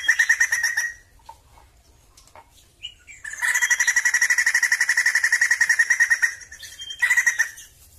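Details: Song of a Sumatran laughingthrush: a short rapid note series, a pause with scattered soft notes, then a long loud run of quick, regular chattering pulses lasting about three seconds, and a final brief burst.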